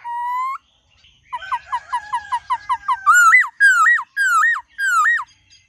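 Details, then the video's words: Multi-voiced forest-style song of a white-cheeked laughingthrush: a level whistle, then a fast series of about nine short, clipped chirps, followed by four loud, looping whistled phrases with sharp upward hooks, without background noise. "Khướu Hót GIỌNG RẤT HAY- NHIỀU GIỌNG.giọng rừng"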